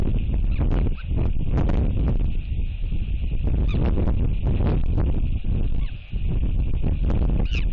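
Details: A royal albatross chick at Taiaroa Head, New Zealand, on 30 June 2023, gives repeated rich honking, braying skycalls to a returning parent arriving to feed it, then baby talk, half buried under strong steady wind roar.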